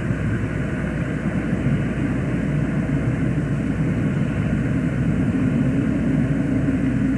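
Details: A loud, steady roar of traffic or aircraft engine noise fills the whole recording, and no animal call can be picked out.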